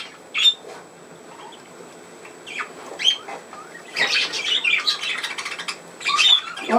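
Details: Indoor pet budgerigar, 27 August 2024, calls with sparse sharp chirps at first, then breaks into a busy burst of raspy chatter and squawks, while a person speaks softly at the end.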